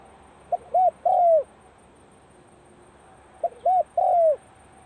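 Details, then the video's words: At the onset of the cold season, a Spotted dove practises its coo: two identical phrases of a clipped note, a rounded short coo and a long falling note, about three seconds apart, in a quiet setting. "เสียงนกเขาใหญ่ เข้าหน้าหนาวออกซ้อมเจ้าหลิ่วตัน"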